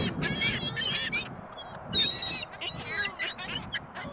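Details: Gulls calling at a shopping mall on windy Christmas Day 2014. A dense chorus of shrill, nasal squeals and yelps repeats in rapid bursts, with some wind noise below.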